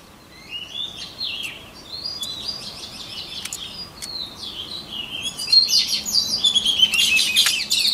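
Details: White-rumped shama song used for voice training: a flowing series of varied high whistles and chirps, fainter at first, then louder, denser warbled phrases toward the end over soft background hiss.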